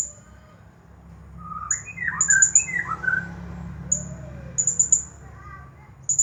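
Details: Blue-crowned hanging parrot, a champion bird, singing in the 'Nagih Hutang' style: rising and falling mid-pitched whistled slurs and squawky notes alternate with bursts of very high, sharp chips, over a low background hum.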